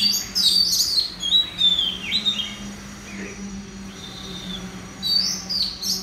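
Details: Caged red-whiskered bulbul at a central Vietnam singing contest giving clear, high warbled whistles in short bursts separated by brief pauses, over a constant low mechanical hum.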